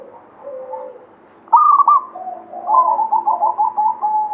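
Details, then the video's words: Local Zebra dove of the Banyumili katuranggan type, singing actively: a soft low coo, then louder bubbling, rolling coos and a drawn-out final note in a quiet indoor setting. "SUARA PERKUTUT LOKAL KATURANGGAN BANYUMILI GACOR"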